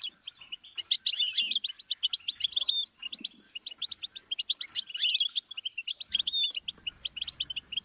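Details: Goldfinch song played as a teaching stimulus for chicks and songbirds: fast, continuous tinkling twitter of clipped notes and trills, with a dense burst early and late, and faint low noise toward the end.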